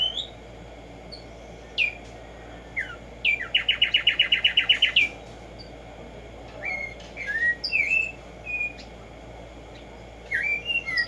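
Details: Black-striped sparrow (Tumba Yegua) song: isolated downslurred whistles, then a quick steady run of about twelve repeated sharp notes, then several rising and falling whistled phrases, with low steady hiss underneath.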